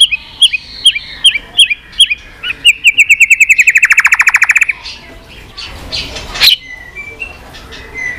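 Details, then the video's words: Continuous 'tạch' song of a white-rumped shama, used to fire up weak birds: evenly spaced sharp notes speed into a dense buzzy trill, then a brief scratchy burst. "Chòe lửa tạch liên tục"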